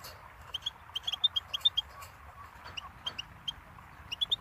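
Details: Goldfinch singing in a teaching recording for young songbirds: crisp, high twittered notes delivered in short uneven runs with brief gaps, low hum underneath.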